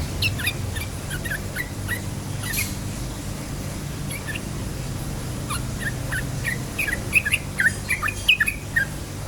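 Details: Lively yellow-vented bulbul song played to stir other bulbuls to sing: scattered clear whistled notes, some in quick pairs, growing busier toward the end, over a constant low droning hum.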